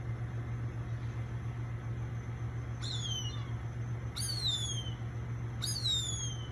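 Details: Gray Hawk, eating its catch when a squirrel interrupts, gives three plaintive, high whistles that slide steeply downward, about one every one and a half seconds, over a steady low hum.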